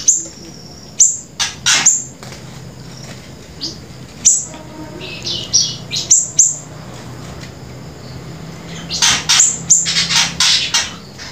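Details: Grey-breasted prinia in prolific 'gacor' song as a lure and tutor recording: irregular high downslurred chips and short buzzy notes, building to a dense, rapid, harsh flurry near the end, over a faint low hum.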